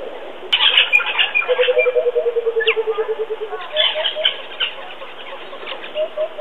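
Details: A loud burst of harsh, squawking bird chatter, then a coucal's low, even hoots tumbling downward in a steady series, followed by scattered calls from other birds.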